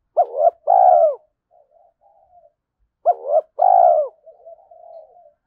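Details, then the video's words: Spotted dove cooing in early morning to provoke fighting and lure rivals: two loud phrases about three seconds apart, each a quick double note then a long drawn coo, trailed by soft low murmuring notes. "Tiếng chim cu gáy thúc đấu và chiêu bổi lúc sáng sớm"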